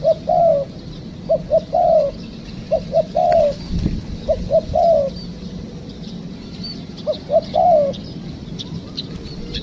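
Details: Spotted dove cooing at a trapping site using a trained decoy; several phrases of short hoots plus a descending coo, a faint thump midway and a pause before the last phrase.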